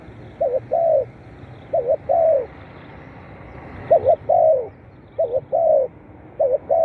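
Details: Spotted dove played to excite captive birds: five steady phrases, each a double hoot leading into a longer downward-curving coo, roughly every one and a half seconds.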